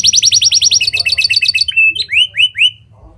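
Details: Canary mimicking lovebird and prinia, as a lure for other canaries to sing; a rapid trill drops into lower stuttering notes, then a flat whistle and three rising slurred whistles before fading.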